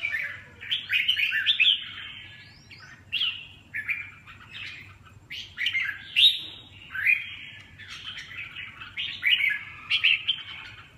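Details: Red-whiskered bulbul pouring out lively, bubbling whistled phrases in quick succession, with short pauses between loud bursts.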